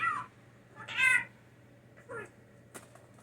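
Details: Blue jay reared by hand after falling from its nest, living indoors and copying words, gives three harsh, nasal calls followed by a single sharp click, with quiet hum throughout.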